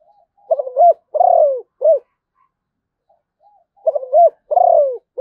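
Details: A Malaysian zebra dove repeats its song twice against near silence. A burst of clipped notes is followed by a sustained falling coo, then a short final coo.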